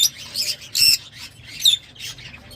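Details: Lovebirds giving shrill, harsh squawking chirps in short bursts, three loud clusters spread across a couple of seconds with quieter chatter between.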